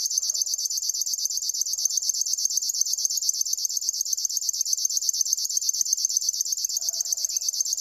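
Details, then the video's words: River warbler (Locustella fluviatilis) reeling a steady, high, insect-like buzzing song of rapid rhythmic pulses like a sewing machine, with faint lower notes now and then. "try to hear this River warbler"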